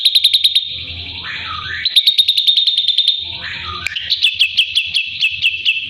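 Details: Drongo song used to train a white-rumped shama: sharp, high, ringing whistled notes repeated in quick series, interrupted by slurred downward glides, ending in a bouncing string of clear repeated notes over a faint low hum.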